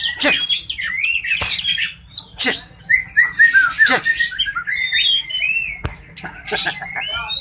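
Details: White-rumped shama of the Medan type, its song meant as therapy for shamas that sing poorly or have dropped condition: varied rich whistled phrases, rising and falling, mixed with sharp clicks and snapping notes.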